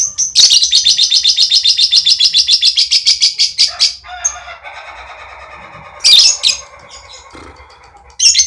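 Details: Relaxed ngekek chatter from a lovebird: a fast, rattling train of high chips for about three seconds, then softer, lower buzzy chatter, with two loud high bursts near the end.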